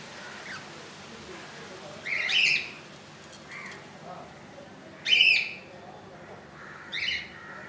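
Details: Budgerigar nest holding a newly hatched, inch-long chick on its second day; three loud, harsh chattering chirps about three seconds apart, with fainter high peeps between them.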